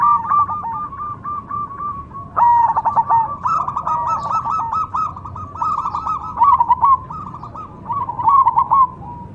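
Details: Cemani zebra dove cooing in a long, continuous sequence of rapid, rattling notes that swell into louder stuttered phrases every second or two, some trailing off in a purr.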